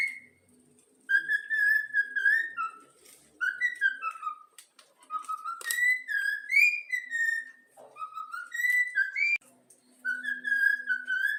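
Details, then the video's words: Whistled rendition of the Flamengo anthem by a pet yellow-cheek cockatiel: melodic phrases of pure tones that rise and fall, separated by brief pauses, with a soft low hum in the background. "Calopsitas | Bochecha amarela cantando o hino do flamengo"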